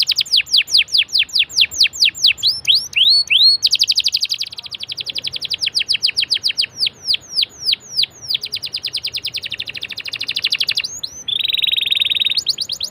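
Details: Canary song played to prompt other canaries to sing: long varied sequences of rapid sweeping trills and rolling repeated notes, with buzzy stretches near the middle and a harsh rasp toward the end.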